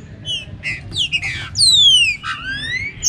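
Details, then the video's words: Green-winged saltator warming up with rain: short chirps and buzzy notes, then a long loud whistle sliding down and a softer rising whistle answering it, faint low background noise throughout. "ABRE CANTO DE TRINCA FERRO ESQUENTA CANTO CHUVA COM BOI"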